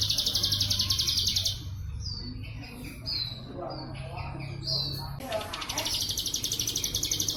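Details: Ciblek sawah, the plain prinia, performing a bren cililin song for training pet birds: a buzzy rapid trill, then a pause with three or four high downslurred whistles, then the quick pulsed trill returns.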